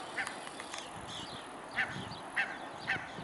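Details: Mute swans recorded on 21 May 2015 around midday, short nasal calls given three times about every half second, over steady broad noise like wind or water.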